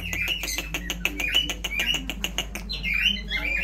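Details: Indian ringneck parrot making rapid repeated clicking chatter, many short evenly spaced ticks, then a few scratchy rising squawks.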